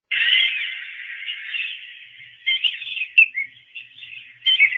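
Piping Plover giving soft, clear piping whistles, a sustained tone followed by short paired notes like 'peep-lo', with faint background noise.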